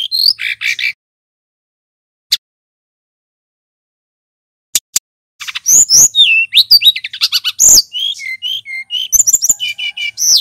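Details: Brown-chested jungle flycatcher, male, singing loudly and clearly in long phrases: opening notes, a long near-silent stretch with isolated ticks, then dense high twittering of sharp chips, slurred whistles and short repeated notes.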